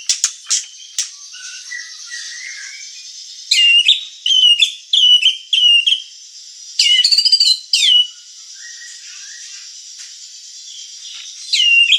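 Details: White-rumped shama (murai batu) in vigorous song for luring and training birds: soft warbling broken by loud clusters of bright, short whistled notes, with quiet pauses between bursts.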